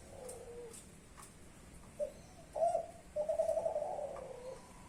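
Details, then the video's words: Spotted dove, a young Kelantan-type bird from a champion line, gives a mellow low coo, then a brief note, a sharper coo and a drawn-out warbling final coo in a small quiet space. "derkuku klantan muda trah juara"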